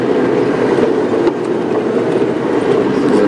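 Steady rumbling mechanical noise like a moving train or vehicle, with no animal calls heard.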